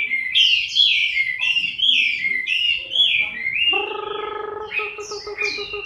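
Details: In October 2015 a Chinese hwamei in moult sings rolling, looping whistles that fall and rise. Midway a lower buzzy, harmonic warble joins, with high squeaky notes on top.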